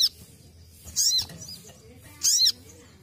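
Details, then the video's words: Ruby-cheeked sunbird giving its basic training song: two loud, piercing notes about 1.3 seconds apart, each sliding sharply downward, over a quiet low hum. "KICAUAN DASAR SOGON"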